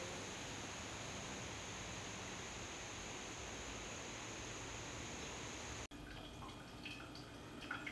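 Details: Steady broadband hiss of running or dripping water fills most of the recording, then cuts abruptly to a quieter room tone with scattered faint ticks and drips; no animal voice is heard.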